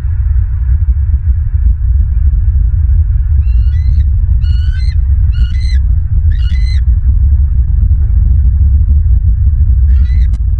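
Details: Bald eagle at a nest in Southwest Florida, December 16, 2022, early afternoon: a series of thin high chirping, piping notes in short bursts, partly masked by constant loud low wind rumble.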